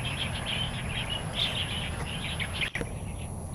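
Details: Starlings singing in the wild in Taiwan make a steady jumble of high chirps and squeaky twitters. The chatter drops away after a sharp break near the end, leaving low background hum.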